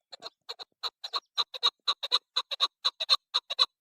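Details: Steady series of harsh, ringing notes from a female chukar partridge, mostly in pairs, repeated about twice a second without pause in a quiet setting.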